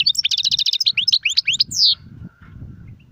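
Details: European goldfinch giving a quick bubbling twitter of trilled and sliding notes ending in a buzzy downslur, followed by low background noise.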